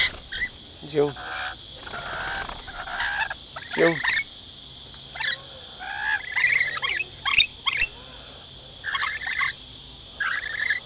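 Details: Hand-fed lorikeets at a camping ground at Lane Cove near Sydney, Australia, giving a busy run of rasping, broken screeches and chatter in uneven bursts, with a constant shrill insect hum and a person speaking.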